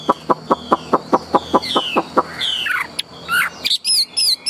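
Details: Tame Chinese hwamei with a large build, kept caged for its singing. A rapid, even series of dry pulses runs for about two seconds, then slurred falling whistles and a few high clear notes.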